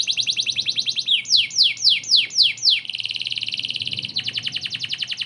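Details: Canary singing hard, recorded as a master for White-rumped Shamas: a fast chirping trill, a run of slower descending swoops, a buzzy rolling trill, then quick chirps again.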